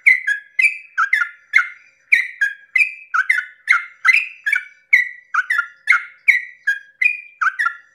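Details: Dawn 'ropel panjang' song of a yellow-vented bulbul, used to provoke rival bulbuls to sing along; continuous chattering run of bright, gurgling, downslurred notes, packed closely and steadily without pause.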